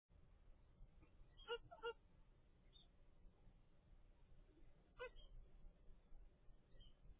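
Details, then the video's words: A ten-day-old zebra finch chick gives three brief, nasal, honking calls, two in quick succession and a third a few seconds later, over a low rumbling background. "zebra finch baby DAY 10"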